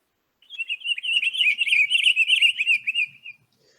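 Pine Grosbeak giving a continuous, rich warbling song of fast, slurred whistled notes for about three seconds, sweet and robin-like, with no other sounds.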